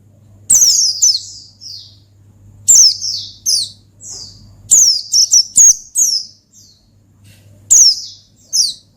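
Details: Oriental white-eye in energetic ngalas song meant to call out a rival male: bursts of high, thin, downslurred notes separated by pauses of about two seconds, each burst two to five quick notes, with a low electrical hum.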